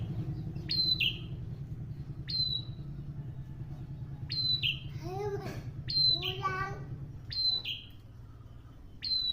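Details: Prinia singing actively: sharp, high chirps that drop steeply in pitch, given every second or two. Another bird adds wavering, rising-and-falling calls midway, over a steady low hum.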